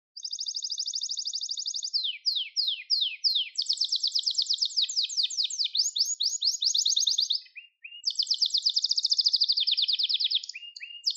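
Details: A Gloster canary in continuous song, used to train and stimulate canaries: a steady fast trill, several slow downward slurs, long buzzy rolling tours, a short break, then further bright trills.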